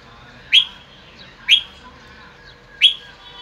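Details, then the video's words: Red-whiskered bulbul in the afternoon sun, giving 'bọng' song: three loud, sharp, clear chirps spaced about a second apart, with a soft hum behind. "Chào mào phơi nắng chiều ra bọng hay"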